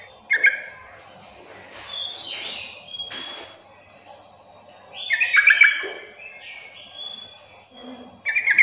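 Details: Sooty-headed bulbul call used to coax rarely singing bulbuls into answering: several short bubbly phrases spread across the stretch, mixed with higher clear whistled notes and scratchy bursts, background fairly busy.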